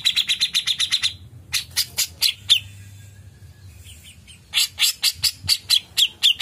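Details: Black-chinned bulbul (cucak jenggot) in Indonesia giving a long chirping tutor-style song: rapid bursts of sharp, high chattering notes, about four per second, broken by a brief pause; a faint low hum underneath.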